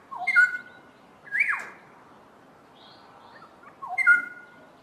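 Black-headed orioles duetting: liquid, fluty whistled phrases, one repeated twice about four seconds apart, answered by a sweeping downslurred note and softer higher notes.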